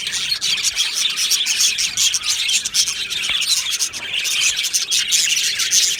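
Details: Aviary colony of budgerigars, 22 June 2025: a constant wash of high, scratchy warbling chatter from many birds together, with no pauses and an occasional sharp click.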